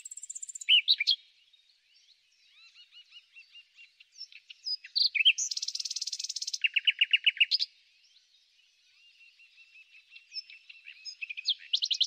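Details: Spring song of a common nightingale, rich and varied: high piping notes, soft chattering phrases, a dense buzzing trill, a run of loud repeated churring pulses, then rising sweeps and whistles; no other sounds.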